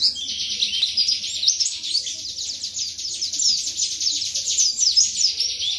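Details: Continuous high, fast twittering song of a white-eye (pleci) from Indonesia, dense chattering notes with quick whistled slurs running without a break, faint low hum underneath.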